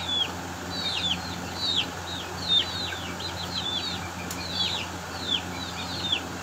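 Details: Baby Aseel chickens in a fight utter shrill, falling peeps in irregular bursts, roughly seventy-seven a minute, some notes sharper and louder, with a brief tap partway through and a steady background hum.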